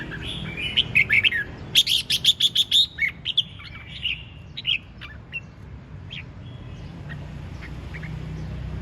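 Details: Red-whiskered bulbul belting out ché chẻ song: a warbled phrase, then a rapid string of about nine sharp, even chirps, followed by scattered single notes that grow sparser and softer against steady low hum.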